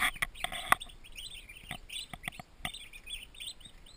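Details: Twenty baby turkeys, newly arrived poults in a farm nursery, chirp in high peeps, broken by several sharp knocks and taps, the loudest near the start.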